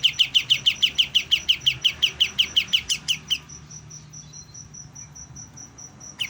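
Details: Young white-eye beginning to sing: a brisk train of identical clipped chirps, roughly four each second, stops after three seconds. A high insect-like whine then pulses on, with a low hum below.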